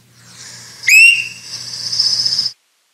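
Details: In late summer in Kentucky, a Swainson's thrush gives one clear, rising whistled peep like a spring peeper's note, a call heard at night and after sunset in fall, followed by about a second and a half of steady high hiss.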